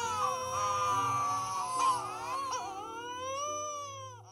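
A Wedge-tailed Shearwater gives a long, eerie moaning wail that rises and falls like a crying baby, with harmonic, sliding notes and no other clear sounds.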